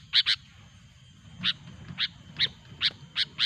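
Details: Sooty-headed bulbul recording, loud and chatty, played as a lure to attract bulbuls for trapping: sharp broadband chips, a quick pair at the start, then single notes repeated roughly every half second over a low rumble.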